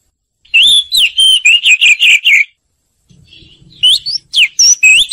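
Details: Oriental magpie-robin singing, a recording used to train other birds: a run of quick whistled notes wavering around one pitch, a brief pause with faint low rumbling, then sweeping whistles rising and falling.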